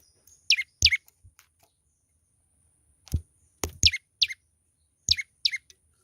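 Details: Sharp, high, falling chirps from a young olive-backed tailorbird in vigorous song, delivered in short bursts of two or three, separated by a brief pause and punctuated by clicks.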